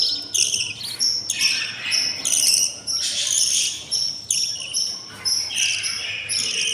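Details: Budgie nestlings at twenty days old, six hungry chicks from one pair, cry for food inside the nest with grating, buzzy rasps in uneven bursts of about a second, with thin whistled overtones.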